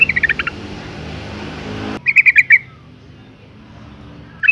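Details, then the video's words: A calling female yellow-vented bulbul, meant to provoke males into singing, gives short bursts of quick chirping notes separated by pauses, with a steady background hiss at the start. "suara panggilan burung trucuk betina gacor ngalas tercepat mancing emosi trucukan jantan agar bunyi"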